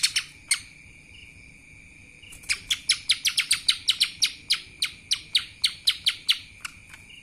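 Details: Lesser green leafbird singing in the kapas tembak style: a few sharp chips, a pause, then a fast run of bright, clipped notes repeated several times a second over a steady high background tone.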